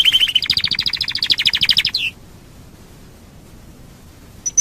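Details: Domestic canary lure song for setting off other canaries: a quick high trill stepping up into a faster pulsed rattle for about two seconds, then quiet with a faint high note near the end.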